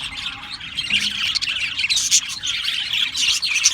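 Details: Australian parrots chirping and squawking together, busy high chatter with occasional sharp squeaks piercing the continuous twittering of the flock.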